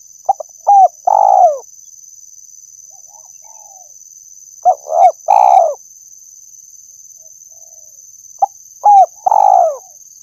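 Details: Spotted dove calling, used as a lure sound for trapping birds: three phrases of low cooing, each two or three short clipped notes and then a longer falling purr, repeated every four seconds over a steady high electronic whine.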